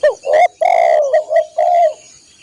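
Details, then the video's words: Spotted dove, its song used as master material for caged birds: a quick couplet of coos, a long wavering coo, two brief hoots and a final sustained coo, clear and loud. "masteran burung tekukur/derkuku"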